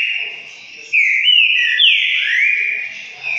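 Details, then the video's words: A Green-winged Saltator of the fibra type sings its classic song on 12 December 2020: a loud, rich phrase of clear whistled notes sliding up and down, with faint chatter from other birds behind it. "Trinca botando pra quebrar"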